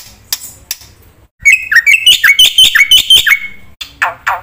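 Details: Energetic 'gacor' black-winged myna song with 'isian' filler, meant as a training lure: a few clicks, then a quick series of whistled, bending notes and harsh chatter, ending with two descending rasping swoops.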